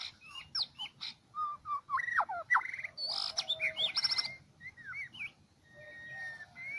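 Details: White-rumped shama of the Medan type, sound used to lure and trap an escaped bird: varied rich whistles, rising and falling slurs and rapid trills in a continuous run, over a low background hiss.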